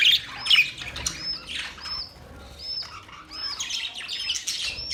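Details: Budgerigars calling with repeated short arched whistles, about two per second, over softer background chatter and scratchy chirps from other birds.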